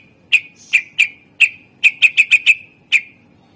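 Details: Greater green leafbird singing, used as a lure to stir other birds into singing: clear piercing whistled notes, each with a clicky onset, fired singly and then in a rapid run of five before a final note.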